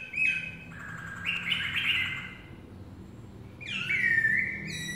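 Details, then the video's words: A Black-throated laughingthrush sings well, giving two loud, clear phrases of long, steady whistles that step between high and lower pitches, with a faint low hum underneath. "Khướu Bạc Má hót hay!"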